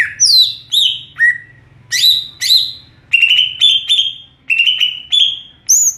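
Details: Ngeplong-style song of a greater green leafbird: clear whistled notes sliding downward, followed by a series of steady mid-pitched drawn-out whistles and a closing high note.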